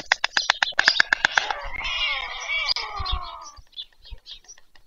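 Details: Evening supper for white stork chicks in Ukraine's Pyriatynskyi National Nature Park, Poltava region, 21 July 2024: fast wooden clicks for a second and a half, then a wavering, wheezy wail that fades out.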